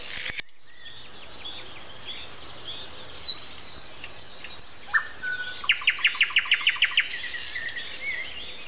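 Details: Nightingale at 7:55 on a Sunday morning in late April: after quiet scattered bird notes, a single whistle leads into a brisk series of about ten repeated sharp notes, with background birdsong throughout.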